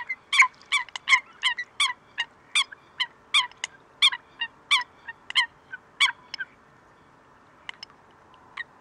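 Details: Eurasian coot (Fulica atra) in Greece, February 2023, gives a rapid run of sharp, explosive notes, about three per second for six seconds, then a few scattered single calls.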